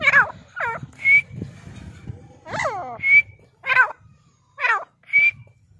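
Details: Grey francolin calling: harsh, cackling notes sliding downward, alternating with a clear, thin whistled tone, repeated every second or so over low background rumble.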